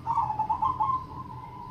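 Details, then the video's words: Zebra dove singing in the crossing triple ketek rhythm style: a mellow, warbling run of cooing notes that gradually flattens into a steady, fading tone, over a constant low background hum. "perkutut Crossing Irama Triple Ketek Gacor"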